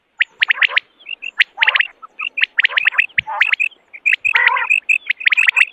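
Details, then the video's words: Common quail heard in the morning for hunting: dense runs of clipped, bright whistled notes in quick succession, with an occasional harsher buzzy phrase, nearly continuous through the recording. "Morning Quail Call 2025 صوت السمان واضح للصيد Batair Ki Awaz بٹیر کا شکار"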